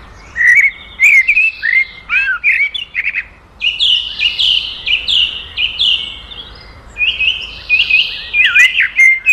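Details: Black drongo (Dicrurus macrocercus) song: a varied run of sharp, metallic whistles and harsh, buzzy notes in quick, uneven bursts, with a few rising and falling slurs.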